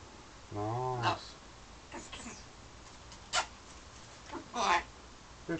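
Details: Parrot kept indoors in London, flirting with its mirror image and birds beyond the window: one drawn-out harmonic call followed by scattered short clicks and chirps in a quiet room.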